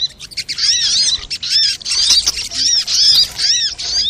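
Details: Sunbird lure call, quieter and with more background hiss: repeated high, arched chirps roughly once a second, set over a soft noisy bed.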